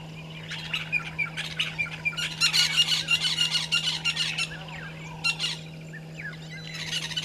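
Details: Violet-backed starling pair at a nesting tree at a waterhole in Djuma Game Reserve, Sabi Sand, South Africa, early morning on 13 December 2022, live camera. Scratchy chattering bursts rise and fall in quick series, then brief renewed bursts, over a steady low hum.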